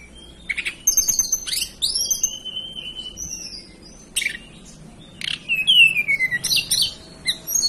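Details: Hill blue flycatcher, native to the mountain areas of Banten and West Java, Indonesia, giving high thin whistled phrases with long downslurs and twittering chirps, separated by short pauses.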